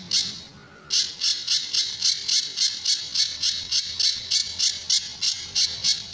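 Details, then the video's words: Sunda bush warbler singing in its tembakan and besetan styles as a master recording for other birds: after a short quiet start, a steady string of harsh buzzy high notes about three and a half per second. "Burung Pijantur Gacor"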